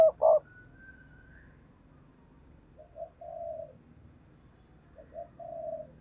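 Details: Lure spotted dove calling to attract wild doves for trapping. A loud double note opens the recording, followed by a thin whistle and quieter low coo phrases over a background hum.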